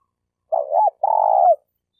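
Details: Spotted dove lure bird from Malaysia delivering one phrase: a soft wavering coo that lifts and breaks off, then a longer buzzy coo gliding downward at its close; quiet background.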